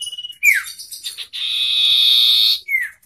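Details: Common iora singing contest between a forest bird and a hand-raised bird: a brief whistle trill, sharp down-slurred notes and a long loud buzzy rasp lasting over a second.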